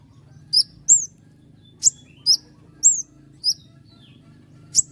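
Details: Common iora in full song performing a long roll of sharp 'shots', kept as a master singer for other songbirds: very high, sharp downslurred notes and clicks in scattered bursts, with a low steady hum underneath.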